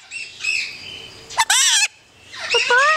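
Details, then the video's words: Pet yellow-collared miniature macaw, Paradise, California, July 2008: soft raspy chatter, then a loud half-second harsh squawk with wavering harmonics, followed by rising whistled-squawk notes, while a woman speaks playfully. "The Yellow Collared Miniature Macaw: TALKS UP A STORM!"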